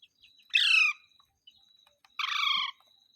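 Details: Pet green parrot giving two loud, grating squawks about one and a half seconds apart, each roughly half a second long with strong banded overtones, against a faint high tone and small clicks.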